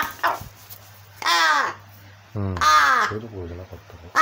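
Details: A crow, not really hungry, makes coaxing begging calls near a child's rattle; raspy arched caws, one longer wavering call breaking into stuttering notes, with faint human voice and a constant low hum indoors.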